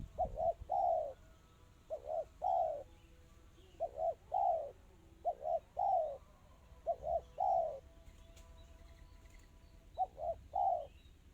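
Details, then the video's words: Spotted dove song, described as fast and tightly delivered: low cooing phrases of two short notes and a longer drawn-out coo, repeated about every one and a half seconds, six phrases in a quiet background. "Suara burung tekukur kristal rapat cepat."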